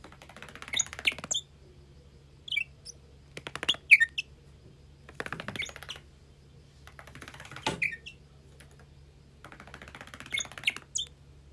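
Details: A pet Bourke's parrot, a bird that doesn't talk, gives soft, high, brief chirps in scattered clusters, mixed with dry clicking and scratching noises.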